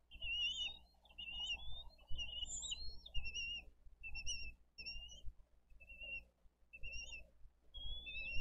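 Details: Bald eagle nest in Dade County, 22 April 2023, where parents bring fish and feed an elder eaglet and a smaller, hesitant chick. A run of high chittering notes, then spaced single whistles every second or so, over soft rumbling.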